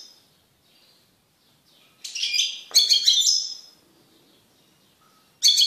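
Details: Vigorous song of a male goldfinch separated from a female canary after pairing: quiet faint notes, then a two-second outburst of bright twittering, rippling chirps, and a fresh burst starting at the end.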